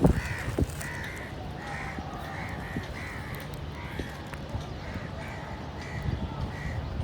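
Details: Evenly spaced caws from crows, hoarse and clipped, about every half second to second, over a low droning background with a loud knock at the very beginning.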